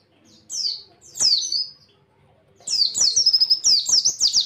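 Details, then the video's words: White-eye (pleci) singing in the 'tembakan' style as a tutor recording for other pleci: two clear high slurred whistles, a silent pause, then a fast rattling buzzy trill continuing to the end. "tembakan pleci bikin juri auto, mlongo cocok buat masteran burung pleci"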